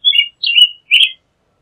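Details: American robin song of three quick whistled phrases in a row, each warbling and slightly slurred downward, then silence. No other sounds.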